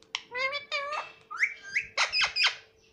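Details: Pet talkative parrot indoors imitating human speech, saying "mummy" in a clear, voice-like tone, with a few short, rising syllables and a brief whistle-like sound.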